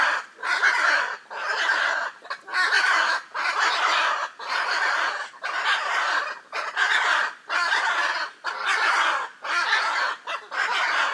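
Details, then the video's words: Hyacinth macaws, the largest parrot in the world, in Brazil's Pantanal, where they live in noisy groups; harsh, raucous squawks repeated about once a second, each a broad grating burst, continuing steadily throughout. "The raucous sounds of Hyacinth macaws"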